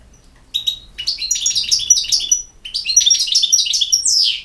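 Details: A European goldfinch delivers two loud, continuous runs of tinkling, twittering notes with interwoven buzzy trills, ending on a descending slurred note, in a quiet setting.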